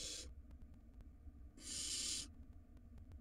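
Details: Barn owl nestling, wild, in a nest box while swallowing a rodent: a short hiss fades out, then after a pause comes one longer rasping, noisy hiss of about three-quarters of a second.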